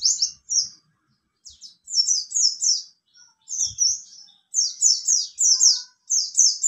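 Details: High-pitched, squeaky song phrases from a mountain white-eye of the buxtoni form, delivered as clusters of rapid downslurred chirps separated by short gaps, in the ngalas nembak style.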